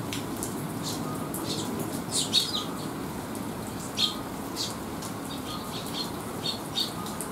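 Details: Young sparrows resting after a meal and sheltering from rain, July 2021: brief high chirps and clicks spaced a second or two apart, with a few sharper notes, against constant rain hiss.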